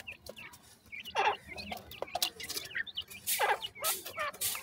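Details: Grey francolin (teetar) chicks calling, a Pakistani bird: scattered short high peeping notes between louder broad rustling or pecking bursts, with clucking-like sounds.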